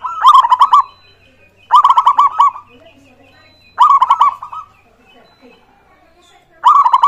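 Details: Singing local zebra dove, played to stir other birds into calling: four loud phrases, each a rapid stutter of sharp coos ending in a short purr, spaced roughly two seconds apart against near silence.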